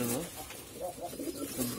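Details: Domestic golla pigeons, breeding birds that lay eggs and raise chicks, recorded in 2022: soft, low burbling coos, a few quick wavering notes rising and falling, over a muffled background of shuffling.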